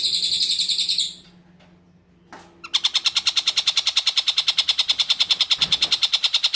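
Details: Long-tailed shrike uttering a fast, even series of buzzy, rasping notes about three per second, broken by a short quiet gap before the rattling rhythm resumes steadily.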